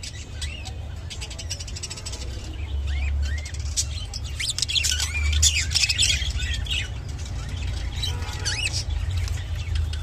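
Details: A lutino budgerigar gives a courtship and mating-call warble: a busy run of quick chirps, squeaks and warbled notes, thickest in the middle seconds, over a low steady rumble.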